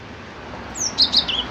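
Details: Cinereous tit (gelatik batu) singing: a thin, high whistle slurs downward, then two short bright notes and a lower trailing chirp follow in quick succession over faint steady background hiss.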